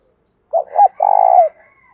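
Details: Spotted dove singing a 'thổ pha đồng' style coo meant to provoke fighting and lure wild doves: two short low coos followed by a longer rolling, vibrating coo that tails off, in an otherwise quiet setting.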